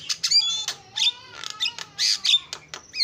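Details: Starling singing as a lure, mixing loud noisy bursts with thin sustained whistles and quick clicking notes in an uneven rhythm.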